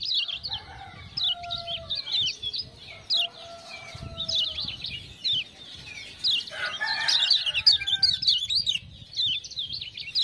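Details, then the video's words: Lemon-bellied white-eye tutor song, set off by ciak-ciak calls: chains of high, sharp chirps repeated in bursts, interrupted by lower hoarse drawn tones around the middle, then a busy twittering passage. "Kecial Kuning joss gacor"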